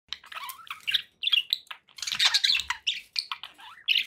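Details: Pet budgerigars chattering: a busy warble of short chirps, squawks and fluttery notes in quick succession, rising and falling, with brief pauses between bursts.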